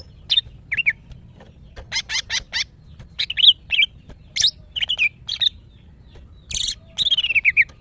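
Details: Captive female greater green leafbird calling males while in breeding condition: a lively run of sharp chirps, buzzy clustered notes and short wavering whistles, fairly evenly spaced, ending in a rapid descending trill of whistled notes.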